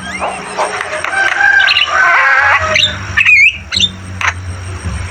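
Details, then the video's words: Javan myna song of harsh, buzzy squawking phrases followed by a few sharp upward whistles, with a steady low hum. "Masteran burung jalak kebo gacor Terbaik"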